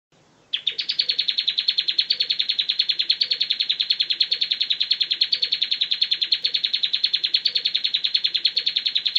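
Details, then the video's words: Bar-winged prinia singing in the ngebren style, used as a tutor recording: a long unbroken run of fast, evenly repeated high chipping notes that starts abruptly after a short silence and carries on to the end. "suara kicau ciblek ngebren : masteran ciblek ngebren"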